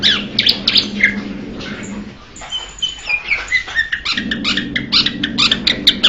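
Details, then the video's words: A Blue-winged leafbird delivers bursts of sharp, bright chips, pauses briefly for softer, thinner whistles, then resumes rapid chattering notes, over a low steady hum. "นกเขียวก้านตองปีกสีฟ้า - Blue-winged Leafbird bird call"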